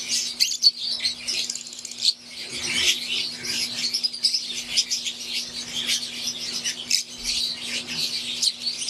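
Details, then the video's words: Wild-type green Fischer's lovebirds kept in an aviary with Euwing lovebirds, a flock chirping nonstop in a dense, high, twittering chorus of overlapping squeaks and short chips, over a steady low mechanical hum. "Wild type Fischer green & Euwing | Relaxing Sound | Birds Chirping"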